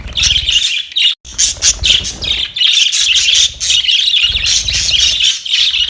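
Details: Fighting budgerigars, 25 October 2023, produce a constant stream of harsh squawks and quick chattering chirps, broken by one brief silent gap around the first second, over a soft low background hum.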